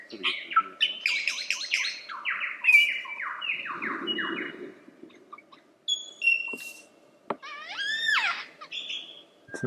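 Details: Varied lyrebird singing: fast cascading chirps and tumbling slurred notes, then scattered clear whistles, a sharp snap and a rising rattling phrase.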